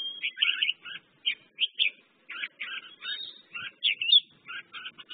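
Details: Song of a red-whiskered bulbul, merbah jambul, made of short clipped chirps and quick two-part warbled notes in small clusters, separated by brief gaps.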